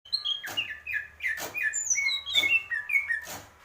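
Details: Greater green leafbird singing a varied run of clear whistled notes, many sliding downward, in quick phrases about two per second. Sharp broadband clicks or snaps recur between phrases.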